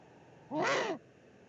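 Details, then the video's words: Eurasian eagle-owl at a nest in the Eifel on 13 March 2019, as the male brings the female her evening meal, probably a pigeon: one harsh, rasping call of about half a second, rising then falling, over quiet background hiss. "Eifel Uhu, 2019 03 13 Food drop."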